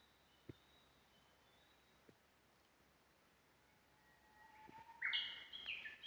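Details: Japanese bush warbler in the mountains, unseen, recorded by smartphone while walking: after a few footsteps, a low whistled note swells and rises into a loud burst of higher slurred notes near the end.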